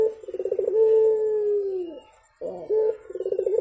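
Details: Javan turtle dove in the morning: a pulsed rolling burr leads into a long low coo that falls away, followed after a short pause by another rolling trill.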